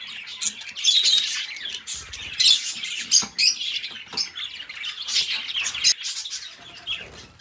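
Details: Caged budgies chattering, bursts of harsh squawks and short whistled chirps broken by brief pauses, with faint clicks and rustling in between.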